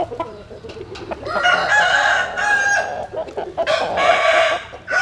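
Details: Dawn crowing of roosters sunning in the morning; overlapping long crows from more than one bird over busy clucking.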